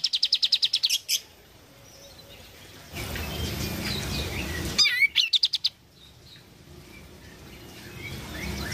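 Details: Kapas tembak, or oriental white-eye, singing in full voice and used to set a silent bird singing again. Rapid run of high chirps about five per second, a noisy lull, then a second quick burst of sharp twittering notes.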